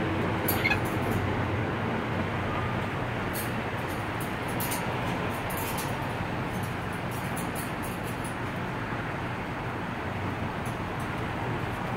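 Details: Steady low rumble of a moving vehicle or train, with a few faint clicks and knocks and no clear animal voice.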